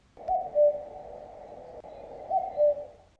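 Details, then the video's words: A common cuckoo gives two soft, falling "cu-coo" notes, the pair repeated about two seconds later, over a steady background hiss. "правильно діти це голос зузулі"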